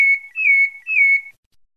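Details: Two bright sustained whistles from a pale-breasted thrush of Bahia, Santa Fé. Each note holds level near the same pitch for about half a second, then falls silent.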